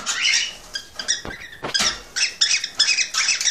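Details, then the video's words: Male cockatiel singing excitedly to prompt a female to mate: loud, grating chatter with squeaky notes in clustered bursts, a few short clicks between phrases. "ساعة من تحفيز طيور الكوكتيل على التزاوج"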